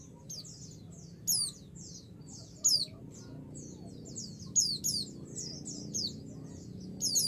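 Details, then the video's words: High, thin, falling whistles from a female white-eye calling a male to make him answer, repeated irregularly over a busy bed of quick, soft high-pitched twitters; a low hum runs throughout. "pleci betina memanggil jantan pasti langsung emosi"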